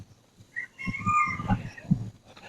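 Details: A wild junglefowl rooster calls by day in leopard-inhabited forest: a short run of clear, whistled tones that rise and fall, partly covered by a man talking.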